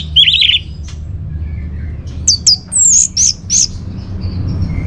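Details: Orange-headed thrush from Bali, song meant as a lure for caged birds: a buzzy trilled phrase, a pause, then a run of short high whistled notes in quick succession.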